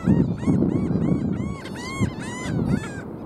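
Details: Calling black skimmers on South Padre Island, 5 April 2023: a dense run of nasal, yapping barks, each note rising then falling, many birds overlapping almost continuously above a low roar of wind and surf.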